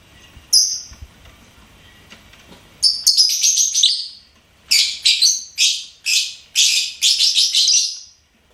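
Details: Pet lovebird singing and chirping: a lone sharp chirp, then a run of rapid, shrill, high-pitched chirps in close bursts that continues to the end.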